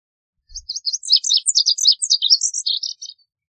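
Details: Lazuli bunting song made of rapid, jumbled high syllables, chirps and slurs crowded into irregular bursts for about two and a half seconds, preceded by a faint low thump.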